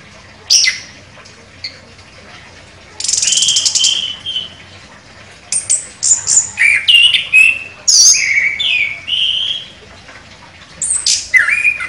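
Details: Chestnut-capped thrush (anis kembang), a contest winner, pouring out a sharp song of mixed whistles, buzzes and rasping bursts, phrases tumbling quickly over twelve seconds with brief pauses between.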